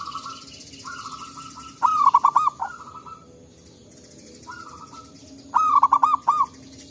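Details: Wild local zebra doves answering each other in forest: two loud bursts of rolling staccato coos, with softer, drawn-out cooing phrases from other doves in between, over a steady background hiss.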